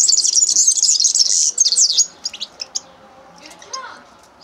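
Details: Common linnet singing a rapid twittering phrase for about two seconds, followed by a few scattered, separate chirps and a faint lower note.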